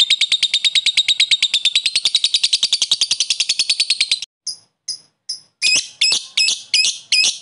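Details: Lovebird ngekek while calling a rival to excite other lovebirds: four seconds of fast buzzy pulsed chatter, then a few sharp chips and a series of harsh high squawks.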